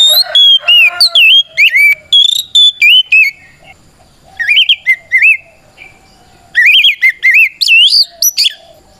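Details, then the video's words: Fighting song of a white-rumped shama, used to stir rival birds into singing back, made of ringing whistled slurs and wavy trills in two fast bursts separated by a quieter few seconds. "Suara Burung kacer gacor NGEPLONG tarung ini paling ampuh buat PANCINGAN KACER agar EMOSI Nyaut"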